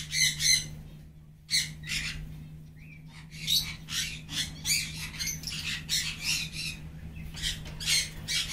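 Maroon-bellied conures give harsh, grating squawks in quick bursts, over a low steady hum.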